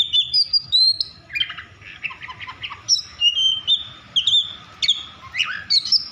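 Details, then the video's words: An Oriental magpie-robin in an excited, over-emotional mood sings to provoke rivals into singing. Clear high whistles alternate with short scratchy chatter, each loud phrase separated by brief pauses. "Kacer over emosi cocok untuk memancing Kacer lain agar bunyi dan gacor"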